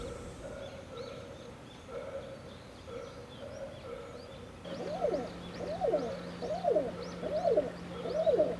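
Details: Male Hill Pigeon giving its courtship call, a sound heard only briefly before the birds leave to find food. Soft arched cooing notes repeat about once a second, growing louder halfway through as a low steady musical drone enters.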